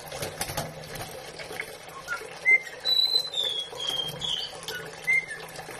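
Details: White-bellied caique kept as a pet, singing as it walks round its bathing dish: higher, drawn-out whistles and short chirps in an uneven sequence, over light water sounds.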